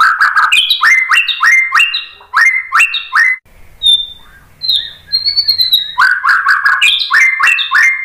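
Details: White-rumped shama singing to provoke a rival into answering: quick series of rising chirped notes repeated in bursts, interrupted by a few clear high whistles, then the rapid rising series resumes.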